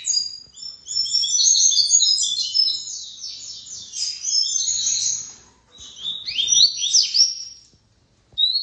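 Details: Seedeater song, a fast, jumbled warble of high twittering notes with trills and quick rising and falling slurs in bursts of several seconds, then a short pause and a brighter phrase.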